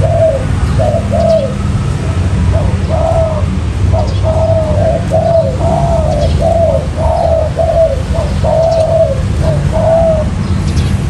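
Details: Spotted dove calling on a 'mailai' trapping lure: a long series of low mellow coos, in pairs, then crowding closer together midway, all over a persistent low rumbling background.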